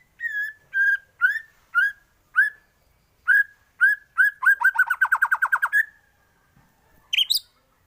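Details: White-rumped shama singing a tutor song for other birds: clear slurred whistles repeated about every half second, speeding into a fast even trill of about ten notes, then one sharp high note.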